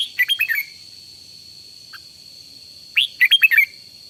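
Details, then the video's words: Morning voice training of a decoy red-whiskered bulbul: a rapid phrase of bright warbles, a long quiet gap with one soft chip, then a second, slightly longer phrase of five clear looping notes, over a steady high whine. "Cách luyện chào mào mồi căng lửa, chào mào, bird, luyện giọng chào mào hót buổi sáng"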